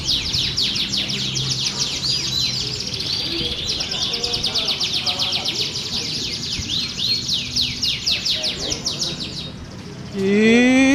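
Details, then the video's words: Prize-winning national champion canary in full song: long runs of rapid, sharp high-pitched repeated notes and rattling trills. A brief rising harmonic sound, like a voice, enters at the very end. "Kenari Jawara Nasional"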